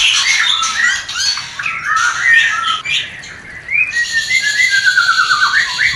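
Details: Mating song of the White-rumped shama (murai batu), for stirring breeding desire in a new pair; short whistled phrases and scratchy notes, then a long descending rattling trill after a brief lull.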